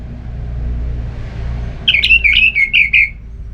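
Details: Orange-headed thrush song used to stimulate another bird to sing: after a quiet start, a run of five quick, slurred whistled notes repeated at an even pace, over low background hum.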